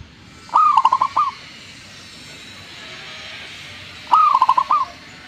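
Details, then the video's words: Zebra dove singing vigorously, with two phrases about three and a half seconds apart. Each is a ringing opening coo and then a quick trill of five or six short staccato notes, over a faint steady hiss. "gacornya perkutut ini"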